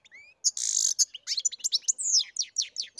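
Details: Captive-bred European goldfinch in full song: a rising whistle, a harsh buzzy rasp, then a fast tumbling series of liquid twitters and sliding chirps delivered almost without pause.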